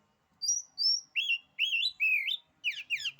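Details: Kacer, or oriental magpie-robin, song said to shrink other kacer's courage: two thin high whistles, three lower wavering whistled phrases, then quick harsh descending notes.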